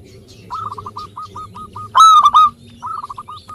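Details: Zebra dove of local stock, in song, to coax lazy birds into calling: a chain of separate soft coos, a loud ringing rolled phrase near the middle, then another quick run of notes.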